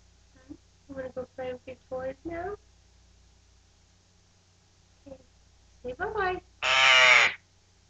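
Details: A pet male Eclectus parrot, three and a half months old, recorded 15 January 2009 just after eating an egg, lets out one loud, harsh, rasping screech under a second long, after a woman's soft, coaxing talk.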